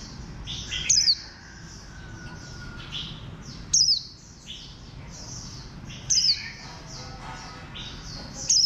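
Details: A bantam-shaped green warbling white-eye gives four bright, very high descending notes spaced two to three seconds apart, while many softer high chirps from other birds and a faint lower whistle run underneath.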